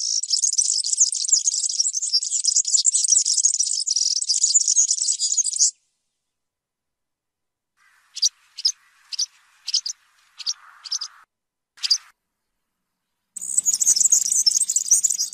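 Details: European serin giving a long, fast, sizzling jingle of high tinkling notes, then a series of short separate chirps, then the rapid jingling song again.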